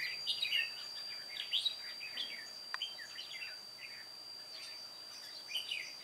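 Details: Red-whiskered bulbul, an old white-cheeked decoy bird singing solo during trapping on 1 July 2018: short bright warbled and chirped phrases in quick irregular bursts, with pauses between, over a steady thin high whine and faint background hiss.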